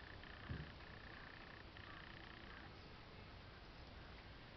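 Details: Sri Lanka grey hornbill, endemic to Sri Lanka: faint, steady, flat-pitched tonal notes in short runs of two or three, each under a second, separated by brief gaps, over a constant background hiss.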